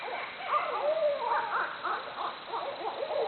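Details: Barred owls hooting and making jungle-like noises, with jumbled, overlapping hoots and whooping cries that bend up and down. One smooth drawn-out note is heard near the first second.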